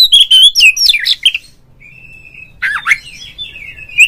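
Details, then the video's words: Oriental magpie-robin sung as a kacer lure for other magpie-robins: opening burst of loud fluty and scratchy notes, a thin sustained whistle, then a harsh slurred phrase and trailing whistles. "suara panggilan Kacer NGEPLONG nge-play Ngobra GACOR bikin semua JENIS BURUNG KACER ikut GACOR"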